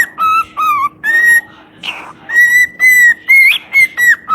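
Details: Parrot whistling a melody: sustained clean notes that dip lower, then return to a higher steady pitch, broken by a breathy rasp before a run of evenly spaced repeated whistles.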